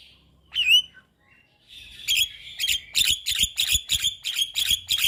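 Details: Javan myna master song for young birds: one squeaky whistle, a pause, then a rapid run of about ten harsh, rasping buzzy notes repeated evenly.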